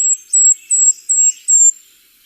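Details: Golden-crowned Kinglet song in winter on the Mendocino Coast, a canopy bird: a series of very high, thin, sibilant notes, four bright bursts about every third of a second, with faint lower twitters between.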